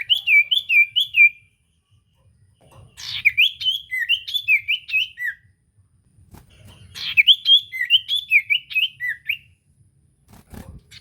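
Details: Common iora song used as a lure to provoke a silent bird into singing: three bursts of bright, rapid whistled notes, rising and falling in quick repeated loops, separated by short pauses, with faint low rumble beneath.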